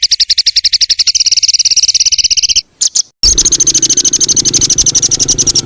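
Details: Songbird recording used to tutor caged songbirds: a fast buzzy trill of rapid high notes, broken by a brief gap, then resumes as a steady shrill rattle with a faint lower rumble.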